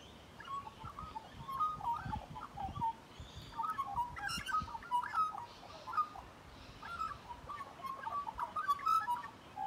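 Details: Close encounter with a magpie, whose mellow, warbled whistles tumble in varied phrases across the whole stretch, some notes sliding and others clipped short, with light rustling beneath.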